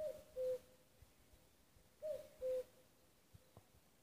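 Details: Two-note cuckoo calls of a common cuckoo in Nuuksio, Finland, 6 May 2015; two hollow cu-coo phrases, higher first syllable falling to a lower held one, about two seconds apart, quiet background.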